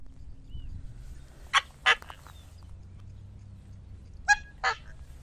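Coscoroba swan giving loud, harsh nasal honks in two quick pairs, each pair about a third of a second apart, over a low rumble of wind.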